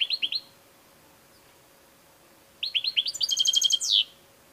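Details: European goldfinch singing: a short burst of bright, high tinkling notes, a pause, then a quick run of repeated chirps that speeds into a dense twittering trill and ends on a downslurred note, against a faint steady hum.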